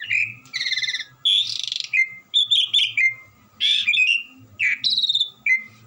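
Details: Gacoran Asian pied starling singing without pause: buzzy trilled bursts, harsh rasps and clear falling whistles, each phrase dropping at its end, with a low electrical hum underneath.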